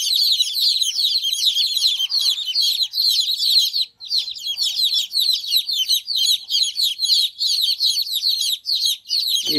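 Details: Chicks with their mother hen, free-ranging while playing and eating: a dense, continuous chorus of shrill high peeps from many chicks, overlapping without pause, with a brief low thud at the end.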